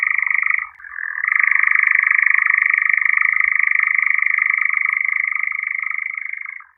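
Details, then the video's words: European nightjar song, a long rapid churring trill that briefly dips and shifts pitch about a second in, then runs on steadily and evenly before fading out at the end; a faint low rumble lies underneath. "Козодой. 1 часть Евразия. Голоса птиц"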